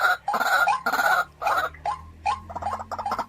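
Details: Caged decoy white-breasted waterhen, kept home-style, gives loud harsh croaking notes in strong bursts, then shorter clipped notes repeated roughly twice a second with short gaps.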